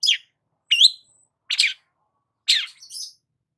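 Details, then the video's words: Long-tailed shrike in lively song, used as a lure for stressed birds: four harsh, grating notes with slurred descending strokes, the last trailing into a hissy, scratchy tail, spaced under a second apart. "BURUNG CENDET GACOR PALING AMPUH UNTUK PANCINGAN CENDET STRES"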